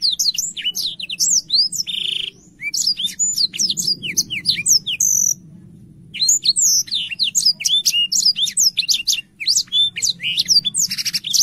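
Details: Black-throated canary in full, lively song, used as a tutor recording for young canaries: a fast, continuous stream of high, sharp chirps, trills and sliding whistled notes with one brief pause midway and a faint low hum underneath.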